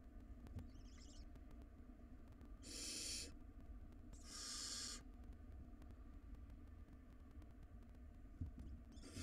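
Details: Barn owl nestlings in a wild nest box, pulling at a large rodent. Two clear noisy hiss-screeches come in the middle, with fainter ones at the start and end and a steady low hum.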